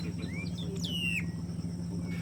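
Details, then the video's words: A Yellow-rumped Marshbird (pecho amarillo grande), an icterid of about 23 cm living in the swamps and wetlands of central South America, gives a short rising whistle, then a louder slurred whistle sliding down, over a steady low hum. "Pecho amarillo grande"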